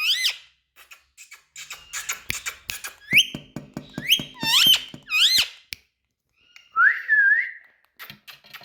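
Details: Indian ringneck parakeet, a talking bird, giving a series of loud rising and falling whistled notes with sharp upward sweeps, bursts of clicks between them, and a wavering whistle near the end, indoors.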